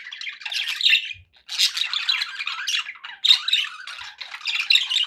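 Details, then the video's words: Contented caged budgerigars give rapid buzzy warbles and squeaky chirps in phrases of about a second, broken by a brief pause near the middle, with no other noise. "happy budgie sounds"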